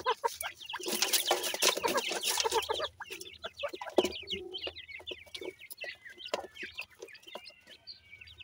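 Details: Grey francolin chicks, raised in captivity in Punjab, cheep in quick high squeaky notes at first over a loud rushing noise. Then clearer thin peeps and a few drawn-out whistles follow against a steady low hum.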